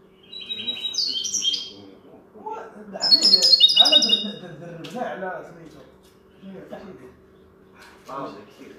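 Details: Linnet taught the goldfinch's song delivers two loud bursts of high, tinkling twitters and metallic trills, with softer chattering notes between and a man's voice talking low underneath.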